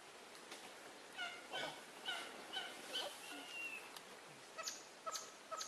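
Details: Swinhoe's pheasant, filmed in the Erge mountain range, Taipei, Taiwan, giving a series of short, nasal, whimpering notes about every half second, then a few sharper clipped notes, over a steady hiss.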